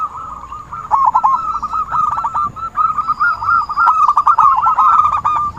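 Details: Zebra dove calling, used to lure birds for trapping: quick bubbling coos that build after a quiet first second and continue steadily.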